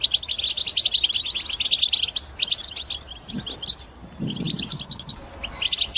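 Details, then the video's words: European goldfinch singing, used to encourage other birds into song: quick tinkling twitters and buzzes in short bursts, broken by brief pauses, with faint low knocks in the background. "بتبتة حسون الأقوى لتحفيز طيورك على التغريد وكسر الصمت"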